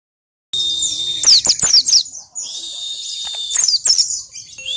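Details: White-eye in wild-style 'ngalas' song with 'isian' fill-in phrases, used as a lure to make other birds start singing fast: a thin sustained high whistle broken by rapid sharp twittering chirps and quick descending notes.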